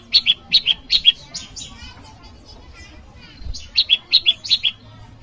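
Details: Bar-winged prinia call meant to draw in an opponent: a handful of piercing high chips, a scratchy twittering interlude, then five more quick bright notes.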